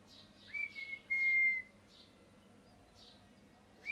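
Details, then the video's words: Pet parrot, molting and missing feathers, gives a few soft chirps and then one long, steady, high whistled note that lasts about a second, followed by quiet and one more chirp at the end. "Parrot Chirping Sounds | Natural Parrot Sounds | Parrot Calling Sounds"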